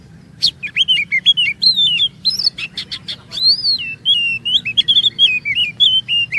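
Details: Lure song of the Oriental magpie-robin, played so other kacer sing long phrases and unload stored 'isian' sounds: dense, varied whistled notes, upslurs and downslurs mixed with quick sharp chips, hardly pausing.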